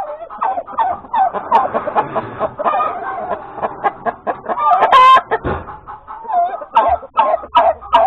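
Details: Domestic hen cackling after laying an egg at breakfast time on Sunday, 31 January 2021: a dense, irregular run of loud clucks and squawks, some rising and falling, with one harsh louder squawk near the middle.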